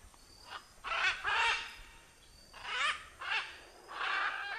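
A macaw gives harsh, raspy squawks in bursts of about half a second, several in quick succession, with a faint background hiss.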